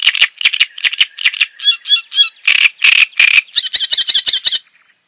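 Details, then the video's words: Java sparrow song mixing rapid clicking notes, short bell-like whistled phrases and a final fast tinkling trill. "Suara Ocehan Burung GELATIK JAWA Untuk Pancingan Dan Masteran"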